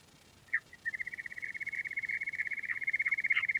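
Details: Quail call: one sharp chip, then a fast, even trill of clicking notes that holds a steady pitch and grows louder to the end.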